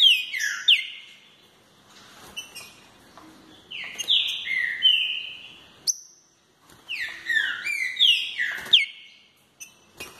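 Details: Green-winged saltator delivering fibra song: three bursts of rich, loud whistled phrases, each a quick cascade of descending slurred notes, separated by brief silences, clean background.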